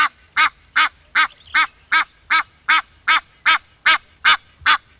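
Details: Egyptian goose giving a long run of harsh, nasal honks, thirteen in about five seconds, evenly spaced roughly every 0.4 seconds, with no other sounds.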